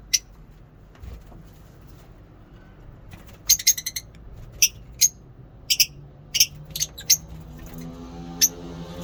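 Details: Scattered high, pinched chirps from lovebirds at a mini zoo in the morning, given singly at irregular gaps over a low, steady hum.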